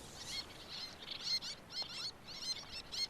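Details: Migrant little terns at their nesting colony on Chesil Beach, Dorset, the only colony in southwest England, give rapid, high, scratchy chattering calls in quick overlapping bursts, about two a second, over a steady hiss of surf and wind.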